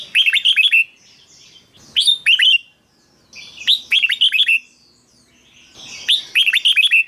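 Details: Red-whiskered bulbul song used to excite caged birds: four short bright warbled phrases, each a fast run of four or five rising-falling whistled notes, repeated about every two seconds with quiet gaps between.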